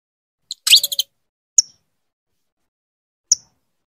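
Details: Female saffron finch calling intensely to her mate to bring him into breeding condition: a brief high chirp, then a rapid burst of four or five buzzy notes, followed by two single sharp high chips spaced well apart, each with a short falling tail.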